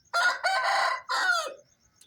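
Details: Aseel rooster on a farm at dawn, around 4:30 am, sounding its wake-up crow: a loud, harsh, brassy crow in three joined parts, the last dropping in pitch, with a faint high insect trill.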